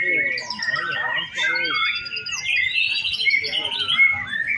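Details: White-rumped shama singing at an afternoon practice contest on a hanging stand: long clear whistled phrases, some rising and falling, mixed with fast chattering trills; human talk briefly at the start and other birds in the background.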